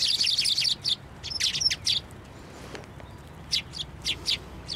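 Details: Sparrows flocking onto a narrow post to be fed at a Tenmangu shrine on 22 January 2024; bright, high chirps in quick overlapping bursts, then a short lull before more scattered chirps resume.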